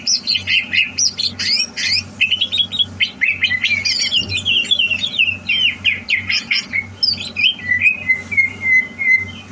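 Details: A greater green leafbird being trained for competition, recorded 30 November 2022, pours out dense, scratchy warbling full of quick mimic-like chirps and twitters. It ends in a short series of level whistles, with a steady background hum.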